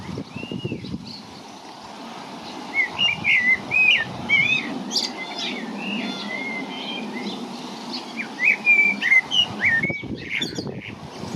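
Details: Common blackbirds sing from treetops on a stormy St. Patrick's Day (17 March) in Ireland, mellow fluting whistled phrases in short bursts a few seconds apart, over steady wind rumble.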